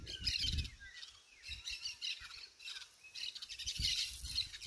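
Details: Small parrots feeding as a flock in a garden in Santa Cruz, Bolivia: overlapping high chattering and screeching calls amid outdoor noise and low rustling.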